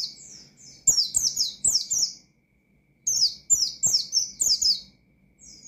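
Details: Rival-calling white-eye song, sharp 'nembak' style: two dense bursts of bright, high descending chirps, each lasting about a second, separated by a clear pause.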